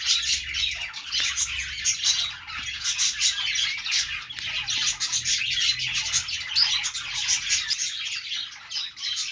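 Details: Chirping budgies in a busy flock, many overlapping twittering and squawking notes forming an unbroken high chatter, with short sharp chips standing out now and then.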